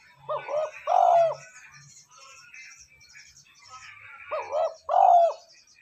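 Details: Spotted dove cooing, played as a lure to make wild doves respond quickly and to train decoy birds: two deep, husky, two-part coo phrases about three seconds apart, with faint higher chirping from other birds between them.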